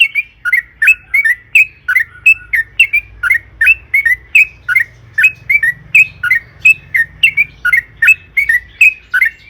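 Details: Long rolling yellow-vented bulbul song, used as a lure to set kept birds singing: even repeated liquid chirps with sharp high overtones, close to three per second throughout, over a faint low drone.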